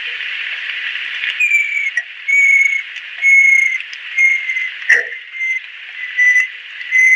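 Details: Banded kingfisher, an adult female, whistling clear drawn-out notes about once a second after an opening stretch of hiss, with one short lower knock partway through.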